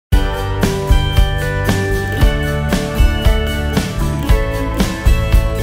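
Steady instrumental music with a plucked, guitar-like rhythm and regular beats, with no animal voice anywhere.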